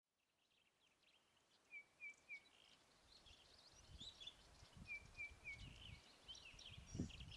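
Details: Long-billed crombec (Sylvietta rufescens), likely South Africa, foraging on a sheer vertical cliff face and catching flies and midges resting on the rocks, gives two brief runs of three thin, clipped call notes a few seconds apart, over wind rumble and faint chatter of other birds.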